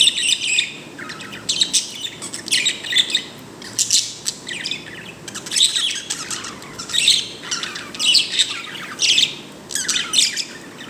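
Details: Pet bird making what is described as a happy sound: bursts of bright, high chirps and twittering squeaks in short clusters, separated by brief pauses, with a faint background hiss.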